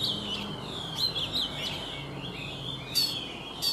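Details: Caged Oriental magpie-robin, wild-caught and three seasons in a cage, in morning song: long sweet whistled notes sliding down and up, linked with quick chirps and a couple of sharp high accents.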